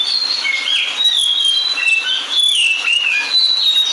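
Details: Singing lyrebird, described as relatively ground-dwelling, aired on the 2019 International Dawn Chorus Day radio program: a continuous run of clear whistles, gliding falls and rises, with a few sharper high notes mixed in.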